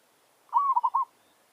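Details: Village zebra dove used as a decoy, giving a challenge phrase: one smooth sustained coo followed by three short rippling notes, against a quiet background.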